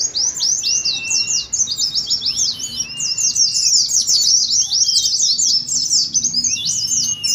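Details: Rapid ngeriwik chattering from a group of Oriental white-eyes in a simulated singing contest. Overlapping high, scratchy twitters run almost nonstop, with occasional thin, level whistles sounding lower.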